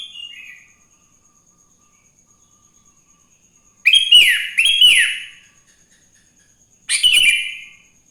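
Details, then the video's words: Sooty-headed bulbul singing in the morning in the wild, used to prompt other bulbuls to sing: a short high note at the start, then after a pause two loud bubbly descending phrases and one more a few seconds later. "Suara Burung kutilang GACOR di Pagi hari‼️ Joss Buat Pancingan Kutilang Bahan Agar Cepat Bunyi"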